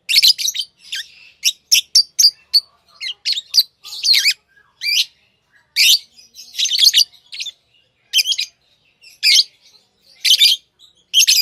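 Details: Pet lovebirds, tame and hand-fed, give rapid high shrill chirps and squeaky notes in irregular bursts, often several within a second, sometimes overlapping, with brief silences between.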